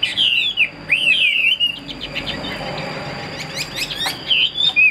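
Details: A caged Chinese hwamei, kept as a fighting bird, pours out rapid downward-swooping whistles, then sharp clicks and short chirps, ending with more whistled slurs, while a steady high hum runs beneath.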